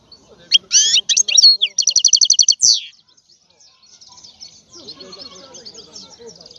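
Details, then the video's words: European goldfinch delivering a short, loud phrase of high, jangling twitters and a fast repeated trill. The bird then falls quiet, leaving faint distant chatter and low background murmuring. "لا يمكنك ان تسمع اقوى من غناء هذا الحسون"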